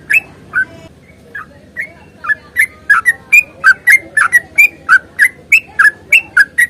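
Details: Long, rapid fighting song of a sooty-headed bulbul, used to coax silent birds into song. A few scattered notes open it, then a dense chain of sharp whistled chirps follows, alternating up and down in pitch, roughly three per second.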